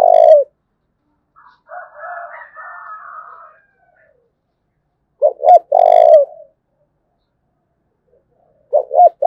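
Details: Dong Nai spotted dove, Vietnam, cooing thúc bổi style: a coo ending at the start, a full double-hoot-and-long-coo phrase in the middle, another beginning at the close, with soft buzzy chatter between.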